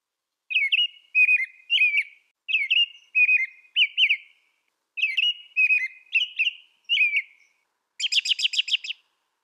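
An American robin sings clear, whistled caroling phrases of two or three notes, repeated with short pauses. A harsher, buzzier burst of notes closes the song.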